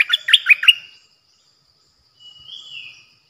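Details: Bulbul used as a decoy bird, recorded 8 May 2021: a quick phrase of about five bright, bubbly notes with sharp up-and-down inflections, then silence and a soft, drawn-out rising and falling whistle.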